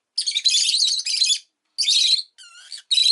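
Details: Rosy-faced lovebird chattering in long, harsh, buzzy bursts of high chirps, broken by brief pauses and one thinner, wavering whistled phrase near the end.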